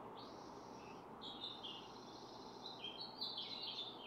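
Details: Barn swallows (Hirundo rustica) at a nest with four eggs during incubation, one parent sitting while the other keeps watch nearby; buzzy, warbling twitter phrases run together, with brief pauses, above low constant noise.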